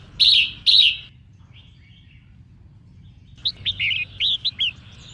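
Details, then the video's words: Red-whiskered bulbul hen singing to excite males. Two loud, buzzy chirps come first, then after a pause a rapid string of six short, bright, up-slurred whistled notes. "Chim Chào Mào Mái Hót Kích Trống"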